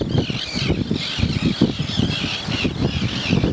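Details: A mixture of terns at a pier and beach in South Shields gives harsh, grating calls that overlap continuously in a busy chorus, over a steady low rumble of wind or surf.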